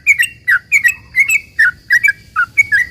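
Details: Long rapid 'ropel panjang' song of a sooty-headed bulbul, played to provoke other bulbuls into replying: quick paired liquid chirps, rising then falling, tumbling out about three per second over a faint constant high tone.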